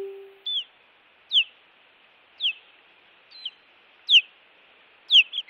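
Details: Osprey on a Montana nest cam, 16 June 2017, calling against intruders; clear descending whistled yelps spaced about one second apart, some with a short trailing note, after a brief low electronic tone at the start.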